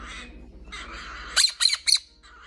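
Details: Orange-fronted parakeet kept indoors, reacting while watching videos: three loud, harsh squawks in quick succession after a softer, muffled background sound, with a faint low hum.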